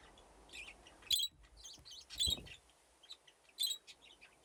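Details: Budgerigars in an outdoor aviary with nesting boxes, a flock grown from two original pairs, chattering while playing; short bright warbled chirps and squeaks in scattered bursts, several birds overlapping, with faint background hiss.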